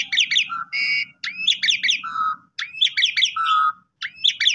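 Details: Pumping-style song of an Asian pied starling, played to stir other starlings to sing: bursts of rising chirps alternating with flat low whistles, repeated about every second, over a faint low hum.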